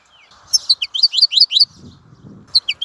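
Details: Short burst of European goldfinch twittering, about a dozen quick high chirps in one second, then a faint low rumble before a few more chirps at the end.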